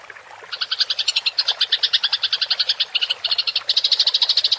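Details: House sparrow in fighting mode giving a clear rolling chatter, locally called gereja tarung ngerol and used to train songbirds: after a quiet start, rapid pulsed chirps run about eight per second in a steady stream with brief breaks.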